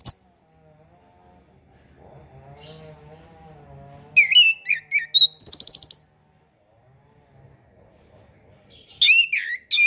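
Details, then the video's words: Orange-headed thrush on a tutor recording for learning birds. A soft low wavering tone comes first, then lively whistled phrases with a burst of very high rapid notes, and a final varied phrase. "MASTERAN SUARA ANIS KEMBANG KHUSUS UNTUK ANIS KEMBANG BARU BELAJAR BUNYI"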